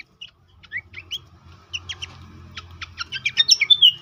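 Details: Horsfield's babbler, pelanduk semak, in a lure and tutor recording meant to make birds active and sing often: sparse high chirps at first, building into rapid repeated sharp notes and whistled slurs, with a faint low hum underneath.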